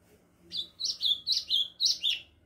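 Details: Ultramarine grosbeak beginning its song: six bright, high slurred whistles in quick succession, each note swelling and falling in pitch, over a faint low hum.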